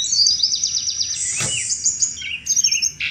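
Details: Chattering song of a Sunda robin, used to lure thrushes: a fast rattling series of high descending notes, then a sharp click, followed by slurred whistles and a buzzy closing burst over low hum.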